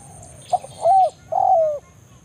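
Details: Spotted dove calling a rival in the forest, recorded for luring; a short note followed by two smooth, low coos, the last long and sliding downward, with a steady faint high whine.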